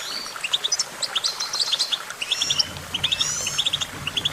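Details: Goldfinch singing: a quick tinkling twitter of short bright chirps, often in clusters of two or three, with a brief buzzy trill mid-phrase, delivered almost continuously over faint low background hum.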